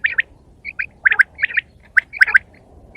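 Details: Quail in the morning giving short, bright chirping notes in quick clusters of two or three, roughly every half second to second, against faint low background hum.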